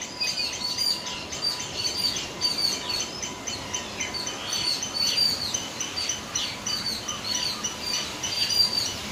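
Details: Yellow-billed babblers in Sri Lanka chatter in a busy flock, harsh squeaky notes overlapping continuously, with a faint steady hum in the background.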